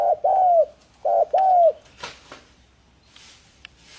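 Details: Two cooing phrases from a spotted dove, each a quick short coo running into a longer, smoothly arched coo, followed by quiet with a few faint clicks and rustles.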